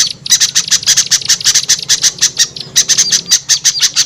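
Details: Lure call for attracting small birds: dense series of shrill, high squeaky chirps in quick, irregular bursts, briefly pausing midway, over a soft low background hum.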